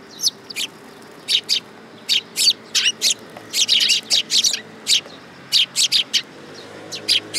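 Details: A flock of tree sparrows comes to be fed at a Tenmangu shrine in August 2022. Steady, lively chirping: crisp notes every fraction of a second, thickening into an overlapping cluster midway, in a quiet setting.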